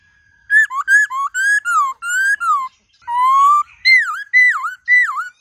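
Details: White-cheeked laughingthrush singing a wild-type song used to train captive birds: loud, clear whistled phrases, first a quick run of rising and falling notes, then a long rising whistle and three swooping down-up calls.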